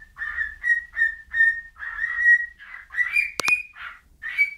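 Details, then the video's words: Bird whistling a chain of short, level notes about twice a second, later rising and slightly buzzy, with a sharp double click in the middle. "whistling bird"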